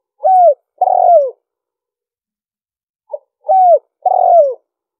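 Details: Spotted dove calling as a lure recording: two cooing phrases, each a brief soft note followed by longer, mellow, downward-sliding coos, with a pause of about two and a half seconds between phrases. No other sounds.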